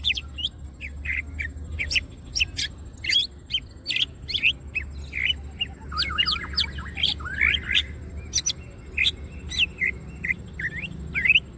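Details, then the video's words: Greater green leafbird singing with wings open, as training material: regular sharp chirps, then a run of swooping whistled slurs and twittering, with a low hum throughout. "green cucak birds open wings siip and gacor materials"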